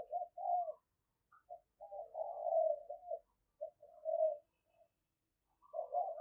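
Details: Decoy spotted dove, energetic, used for luring, heard fairly quietly giving a series of low, hollow coos in broken phrases with brief gaps, a longer wavering coo near the middle.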